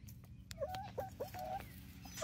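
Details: Seven 19-week-old chickens, Barred Rock and Gold Star, in Grimes County, Texas, give a run of short, clipped mid-pitched notes, about four in under two seconds, with scattered clicks and faint noise around them.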